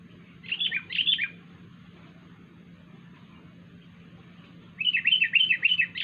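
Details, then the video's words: Wild sooty-headed bulbul giving a strange call: two quick bursts of bright, warbling chirps near the start, then a longer run of rapid, slurred up-and-down notes after a pause; steady low hum underneath. "kutilang liar suara Aneh"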